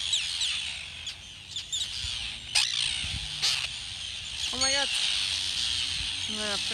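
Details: A crowded shrill chorus of overlapping harsh calls from Arctic terns at a big breeding colony with chicks in Rif on the Snæfellsnes peninsula, Iceland, phone-recorded from a street; two lower stacked, sliding calls stand out near the end.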